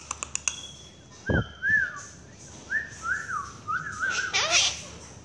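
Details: Quaker parakeet kept as a pet, calling for its owner: a run of clear whistled notes that slide and wobble, held steady between, after a few sharp clicks at the start.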